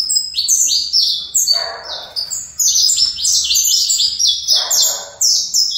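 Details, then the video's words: Saffron finch bred in captivity, singing fibra style: dense high chirps rattling quickly, with two brief bursts of soft broadband rustling beneath the notes. "Canário Fibra"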